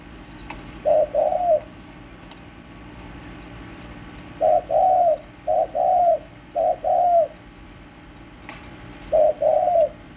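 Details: Spotted dove kept at home, recorded on 31 March 2024: low mellow coos in short grouped phrases of two to three notes, with pauses between groups, over a steady faint background hum and a few soft clicks.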